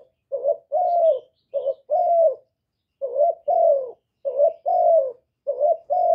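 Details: Lure spotted dove giving rousing coos, recorded directly without background noise: paired phrases of a brief note then a long, gently descending coo, about five phrases in steady rhythm.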